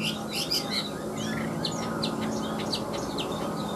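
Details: Caged Chinese hwamei, a large-bodied bird, sings bright, varied whistled notes and short slurred phrases high in pitch, set over a steady low hum.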